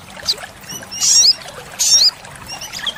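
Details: Olive-backed sunbird song played to train caged birds: two brief high buzzy bursts under a second apart, each ending in a thin upward flick, with faint chips around them.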